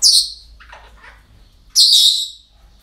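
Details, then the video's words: Parrots heard on an ordinary day at a breeding centre: a sharp high screech, then softer, lower chattering notes, then a second long, harsh, piercing screech. "Relajación Loros En El Centro De Cría"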